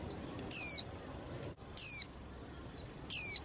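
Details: High descending whistled notes from a female white-eye kept in a cage to stimulate singing contests, three calls about 1.3 seconds apart, with a faint steady tone lingering between them.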